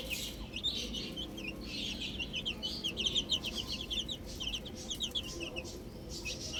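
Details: Young chicks outdoors chirping densely, quick high peeps running together in the first half, then sparser calls, over low background noise.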